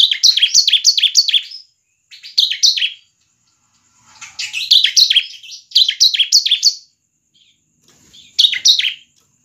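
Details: Series of rapid, high, sharply downslurred notes from a bar-winged prinia, a song meant to lure and train other birds, given in repeated bursts of about five notes with short gaps between.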